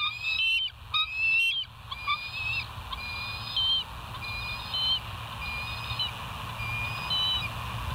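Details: Morning call of bald eagles at the West End nest, filmed by a live nature cam on 19 September 2023, 06:52: a clear whistled note, then a run of short, high piping calls that soften and repeat about once a second.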